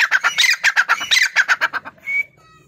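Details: Grey francolin, called dakhni teetar, giving a loud, rapid run of harsh, evenly spaced notes, about a dozen in under two seconds, closing with a thin rising whistle before quiet.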